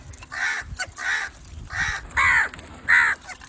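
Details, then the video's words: A quick series of five harsh crow caws, the first three softer and the last two louder and raspier, spaced about half a second to a second apart; a call to attract crows. "Crow call to attract crows/Crow sounds/Crow call/Crow sounds to attract crows"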